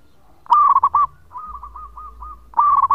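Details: Local zebra dove in full long song, used as a lure for other doves: two phrases of clipped, staccato cooing notes, each with a few quick stuttered elements followed by a sustained coo, separated by a short pause.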